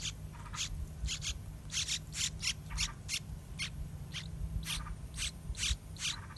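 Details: Nearly fledged yellow-vented bulbul chicks in the nest as parents feed them wild fruit and a big dragonfly; rapid, scratchy high chirps repeated in quick, uneven bursts throughout, over steady low background hum.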